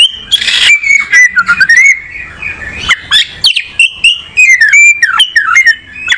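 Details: Oriental magpie-robin (kacer) in rich, continuous song: fluid whistles that swoop down and rise again, mixed with quick staccato chirps and buzzy notes, loud and near.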